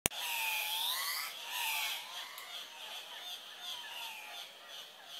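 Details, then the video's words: Male Andean cock-of-the-rock, about 12–20, displaying at a lek before dawn to attract females, giving loud, nasal, wavering squawks that overlap in a steady run, with harsh, noisy edges and no pauses. "Andean Cock of the rock"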